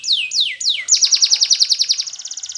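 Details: Spanish Timbrado canary training song: three long downward-slurred whistles, then a fast even trill of about twenty notes.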